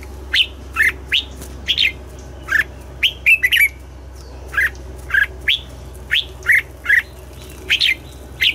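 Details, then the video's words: Red-whiskered bulbul in morning song practice for the double-note style, giving a long series of separate, sharp chirped notes, often in pairs, roughly every half second, over a constant low hum. "Luyện giọng cho chào mào hót sáng, ép chào mào hót âm kép già rừng hay tuyệt!"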